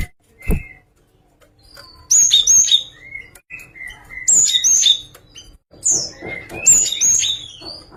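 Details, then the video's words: Java sparrow song of high, clear chirps mixed with lower piping whistles and ringing, bell-like notes, delivered in loose irregular phrases against a quiet background. "VARIASI KICAUAN GELATIK"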